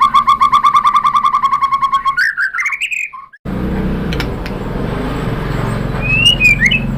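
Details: White-rumped shama singing to provoke other birds: a rapid rattling string of sharp repeated notes for two seconds, a few slurred whistles, then a break and distant rising whistles over steady background hum.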